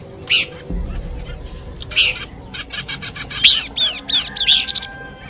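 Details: Luring track of Horsfield's babbler song: spaced bright chirps, then a busier passage of rapid arched notes and harsh buzzy pulses.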